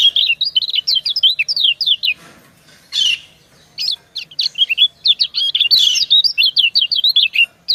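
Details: Female white-eye (kecial kuning) and a male answering each other: long strings of fast high wavering chirps separated by a single harsh buzzy note and short pauses.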